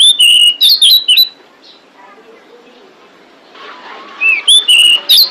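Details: Female pied bushchat calling to attract males, used to lure birds. Quick whistled notes start and end the clip, with a quiet stretch of soft background twitter and a rustling noise between them.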